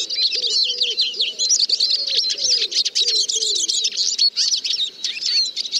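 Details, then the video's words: Busy, high-pitched twittering from a Eurasian siskin, packed chirps, quick trills and occasional thin whistles in an unbroken flow, with quieter low arched notes recurring beneath in the first half. "The song of the Eurasian Siskin"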